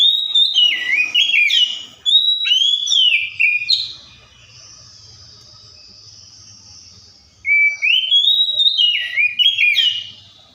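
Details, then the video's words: Oriental magpie-robin song imitating other birds: quick jumbled whistles and chirps, a long thin high held note, then another run of bright, rising and falling whistled phrases. "COPSYCHUS SAULARIS SOUNDS LIKE THE WILD MAKES OTHER BIRDS SOUND!"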